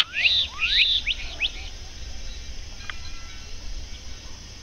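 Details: Black-capped Donacobius at a lake on a sunny early-winter Sunday around 2 pm gives a quick burst of loud, rising whistled notes in the first second and a half, then fades, over a low steady rumble.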